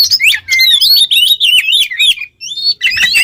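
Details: A vigorously singing Oriental magpie-robin, used for tutoring other songbirds, pours out rapid high chirps and looping whistled phrases, about three notes per second, pauses briefly, then resumes.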